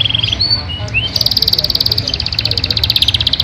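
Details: Yorkshire canary singing: a few clear whistled notes and upslurs open, then a long, dense, buzzy high trill runs to the end, over a low background hum.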